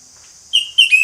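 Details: Orange-headed thrush in ngeplong song. After a pause come two short, bright whistled notes, the second breaking into a quick rising flourish, over a faint steady high hiss.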